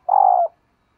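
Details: A single long coo from a female dove calling to stimulate males, steady and slightly buzzy and ending in a brief downward slur. Silence follows.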